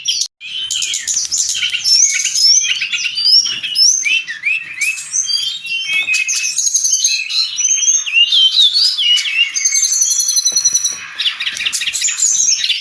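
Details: Brown-chested jungle flycatcher singing steadily, recorded as training material for cage birds: fast, varied high-pitched phrases of slurred whistles, quick trills and sharp chips pour out almost without a break.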